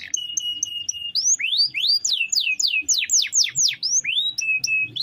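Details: Actively singing canary, long-roll song meant for daily tutoring of other birds: a flat, steady whistle breaks into a fast series of loud rising and falling sweeping notes, then returns to short flat whistles.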